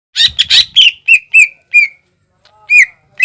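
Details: Greater green leafbird in full song, a lure recording meant to coax untrained leafbirds into singing: a burst of harsh chirps, then a series of clear slurred whistles falling onto one steady pitch, a pause, and more bright whistled notes.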